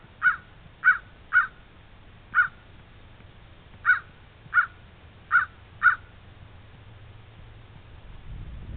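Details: Fighting crows calling: eight short, harsh caws in an uneven series, some in quick pairs, then a quiet stretch ending with rising low rumbling noise.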